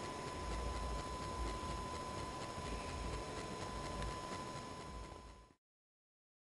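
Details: Steady hiss and a low mechanical hum with a faint constant tone run for about five seconds, then cut to silence, with no animal sounds.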